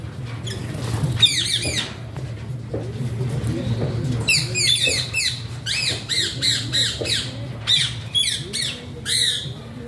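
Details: A pet ringneck-type Alexandrine parakeet (Psittacula eupatria) gives harsh, rasping squawks in quick bursts of two to four, loudest in the second half, over a steady low indoor hum.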